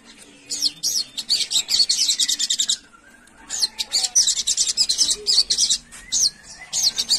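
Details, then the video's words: A wild-style sooty-headed bulbul calling to companions gives two bursts of bright, rapid, high chattering chirps, each a couple of seconds long, with a brief pause between. "Sogon Memanggil Kawan"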